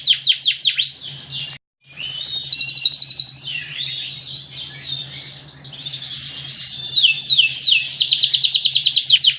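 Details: Ringed Yorkshire canary with a very loud voice and cililin-style phrases, pouring out loud, high rolling trills, buzzy slurred passages and bursts of rapidly repeated piercing notes, with a faint low hum beneath.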